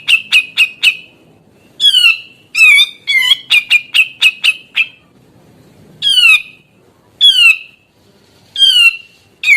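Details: Prolific grey-cheeked bulbul song intended to make other grey-cheeked bulbuls sing: a rapid stutter of short clipped notes, a dense cluster of harsh chattering, then three widely spaced, descending nasal calls.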